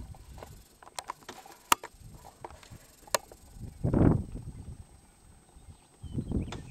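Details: Male sage-grouse displaying near a traditional lek in eastern Montana in early morning: low, hollow swishing and plopping bursts, one strong near the middle and another at the end, with scattered clicks and faint background hiss.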